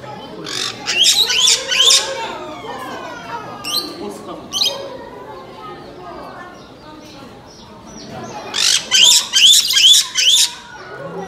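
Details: A captive Black-headed caique gives harsh, shrill screeches in two bursts, the second a quick run of about six squawks, with faint murmuring voices in the gaps.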